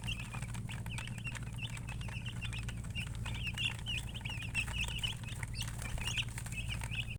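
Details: Baby chicks chirping in a crowd, quick high rising peeps tumbling over one another continuously, over steady low background noise.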